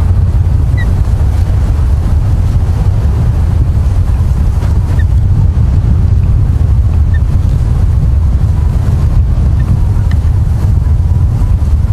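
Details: Steady, heavy low rumble of wind buffeting the microphone at an osprey nest in Charlo, Montana, with no animal voices.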